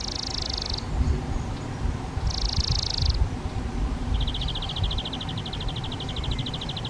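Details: A spotted flycatcher nesting in a half-open nest box on a garden shed, feeding flying insects to two chicks, gives two high, hissy buzzes about two seconds apart, then a fast, even run of thin ticking notes over a steady low rumble.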